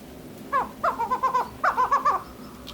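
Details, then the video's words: Female chukar partridge making a few soft, hoarse clucking notes, first singly and then in two short clustered groups, against a quiet background hum. "Chakor Mada Voice | The Best Voice of Female Chakor | Mada Chakor ki Awaz"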